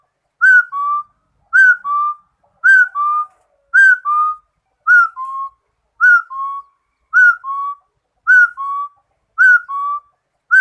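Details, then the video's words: Rufous-throated partridge singing: clear whistled two-note phrases, a higher note dropping to a lower held one, repeated steadily about once a second, against total silence. "Suab Yij Quaj | Rufous - throated Partridge | Singing Yij Coj Kum Quajsuab"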